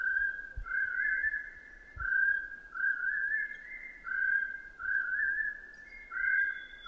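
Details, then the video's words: Chestnut-breasted partridge (Arborophila mandellii) calling and singing: drawn-out mellow whistles, each note stepping higher in a repeated rising series, with faint high thin chirps of other small birds behind. "Chestnut breasted partridge Arborophila mandellii sound call and song"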